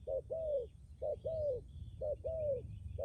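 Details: ['Spotted dove kept as a decoy bird in Lâm Đồng, Vietnam, noted for a strong, lasting coo. Each coo is a clipped note followed by a longer, smoothly falling note, repeated every second.']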